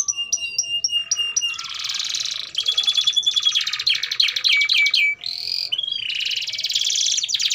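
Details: Lively canary song for training young canaries: a few spaced whistled notes, then dense buzzy rolls mixed with descending slurred whistles, continuous.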